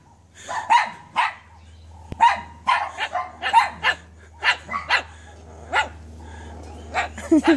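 A cockatoo imitates a dog's barking: about a dozen short, harsh, hoarse barks in uneven bursts, some paired, over a faint low electrical hum.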